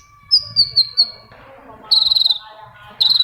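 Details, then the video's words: Long-tailed shrike song played to prompt quiet shrikes into singing: clear high whistled notes, first a spaced series of four, then two quick trilled bursts of rapid repeated whistles. "PANCINGAN AMPUH!!! UNTUK MEMANCING CENDET PENDIAM YANG LAGI MALAS BUNYI"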